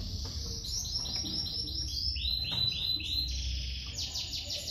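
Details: Domestic canary chicks being fed by their mother: rapid series of high, thin chirps sweeping downward, repeated several times per second, with steady low background rumble.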